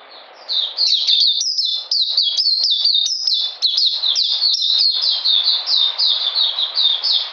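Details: Oriental magpie-robin in a cage on a cold, rainy 13 June 2020 starts after a quiet moment, then sings a steady torrent of high, sharply slurred whistles and twitters.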